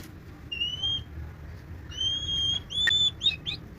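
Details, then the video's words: White-rumped shama (murai batu) singing clear, level whistled notes: a half-second whistle, a pause, then a longer held whistle, ending in quick slurred notes over a low background hum. "murai batu kicau"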